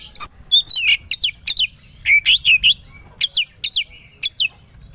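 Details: Oriental magpie-robin singing aggressively as a lure for rival birds: clusters of sharp, rising and falling whistled chirps in bursts of two to four notes, separated by brief pauses.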